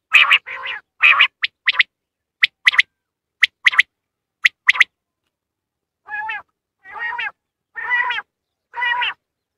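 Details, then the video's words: Quail call used in hunting: alternating bright notes and sharp clicks at a steady pace, then four nasal, wavering harmonic calls spaced about a second apart. "Batair new vioce in shikar // بٹیر کی نیو ویڈیو اڑنے پر مجبور کر دے // Quail hunting"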